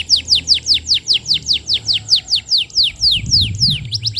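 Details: Training lure from a vigorously singing canary for juvenile birds: a steady series of loud downslurred whistled notes, about two per second, ending in quicker short chips.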